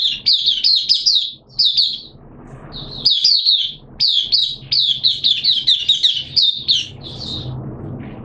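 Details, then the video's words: A caged oriental white-eye on day two of monthly deworming medication, September 2022, pours out fast, thin, chattering notes in long tumbling strings, pausing briefly twice before resuming the bright, jumbled warble. "Mata Puteh T Rex Buka Sing"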